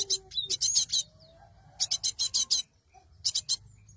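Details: Cinereous tit (gelatik batu) recorded as a lure for trapping birds: bursts of three to five harsh, buzzy, high rasping notes separated by short pauses, with a faint low rising whistle in the background.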